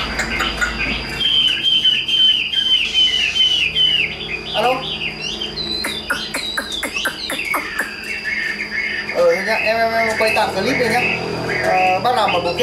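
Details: A hand-tamed captive Chinese hwamei sings loud, varied whistled phrases, rising and falling in quick runs, with people talking in the background.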